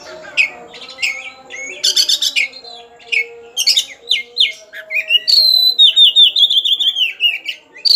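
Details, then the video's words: Agitated white-rumped shama seeking a rival delivers a rich, varied song of sharp whistled slurs, dense chattering bursts and a long descending series of quick notes, with a soft low hum beneath. "Kacer Emosi Cari Lawan.Suara Super Pedass. Di Jamin Kacer Anda Ikut Tarung Ngobraa!!!!"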